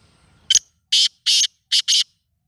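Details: Black francolin calling: five harsh, grating, broadband notes, an opening short double note followed by four longer rasping ones, in a clipped rhythm, against near silence.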